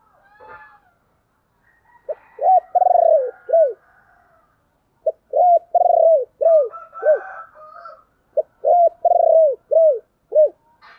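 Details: Spotted dove 'tiếng chìm' calling coo for exciting decoy birds: three repeated phrases, each a clipped note, long warbling coo and two falling coos, with faint chirps of other birds in the gaps.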